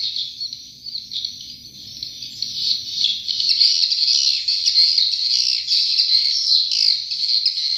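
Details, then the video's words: Original swiftlet calls taken from a control recording: many overlapping high chattering chirps forming a continuous shimmering buzz, growing louder after the first few seconds and staying dense, with no other clear sounds. "SUARA ASLI WALET"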